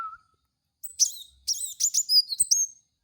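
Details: Kolibri wulung song for luring cage birds: a dense, lively run of high chirps and squeaky whistled slurs lasting about two seconds.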